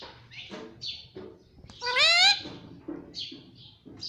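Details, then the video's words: Pet talking parrot kept at home, said to say "mummy papa"; soft high chirps, then one loud, strongly harmonic call rising and bending around two seconds, followed by quieter squeaky notes. "Mummy Papa Bolne Wala Tota || Talking Parrot || Pattu Parrot Talking"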